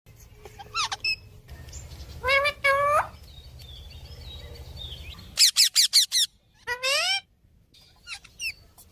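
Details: Parrot described as nonstop talking: scattered chirps, then two harmonic rising squawks, a burst of five sharp loud notes in quick succession, and a drawn-out sliding call, with faint low background hum throughout.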